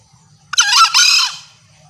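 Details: Female green junglefowl call used as a hunting lure to draw males close: one loud, harsh, two-part squealing note, about a second long, with wavering rising-and-falling harmonics. Faint low rumble behind it.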